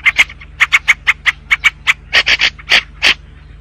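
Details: White-spectacled bulbul song: a quick series of sharp, ticking chirps about five per second, moving into louder, rougher, buzzy notes at the end, with a constant low hum underneath.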